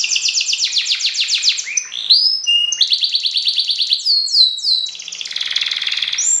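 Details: Caged F1 canary singing a competition-style song with a 'nembak' delivery, the training material preferred by judges: rapid high trills of repeated notes, sweeping whistles and dense buzzy rolls, continuous and loud, with no other sounds.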